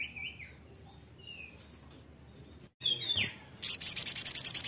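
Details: A crimson sunbird gives thin, high whistled notes, some falling, then a sharp downslurred phrase. It launches into a rapid, piercing trill of evenly repeated notes.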